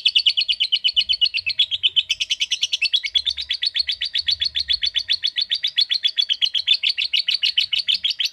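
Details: Lovebird sustaining a long ngekek chatter, steady rapid high-pitched pulses rattling on evenly through more than eight seconds with no break.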